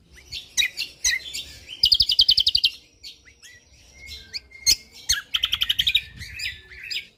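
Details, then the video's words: Rich Lombok white-eye 'tembakan rapat' song with busy high twittering, two rapid runs of evenly pulsed notes, and a sustained thin whistle between them. "Cucak Kombok Juara / Kecial Kombok Gacor Full Tembakan rapat Bikin Burung Anda Emosi Langsung Bunyi"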